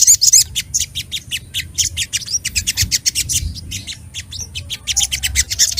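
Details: A fired-up sunbird (sogok ontong), described as calling for a rival, sings a rapid, continuous string of very high, thin chirps and squeaky trills, about four notes a second, over a faint low rumble.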